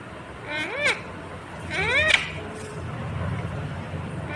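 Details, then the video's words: Indian ringneck parakeet talking, imitating the words "mummy papa": two harmonic, speech-like syllables about a second apart, each bending up then down, over a low steady background hum. "Natural Indian Ringneck Parrot Sound ❤️ talking Parrot mummy papa"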